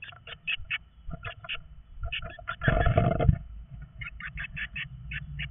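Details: Birds screeching loudly inside a nest box as male and female meet there: rapid bursts of harsh, scratchy chirps, several per second, with one louder rasping outburst in the middle.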